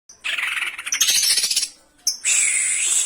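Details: Greater green leafbird (cocak ijo) song, played as a lure to set other birds singing, in the harsh rapid-fire style called tembakan kasaran: a high shrill phrase breaks into a dense rattling burst, then a brief gap and a sustained piercing high note.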